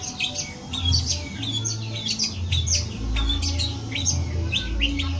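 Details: Long-tailed shrike singing energetically and imitating a cat: quick runs of high chirps and short sharp notes, some sliding, packed closely together over a steady low hum.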